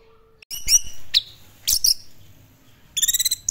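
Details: Orange-headed thrush in classic-style song: loud scratchy bursts and a sharp downslurred whistle, then a quick string of bright, rhythmic clicking notes.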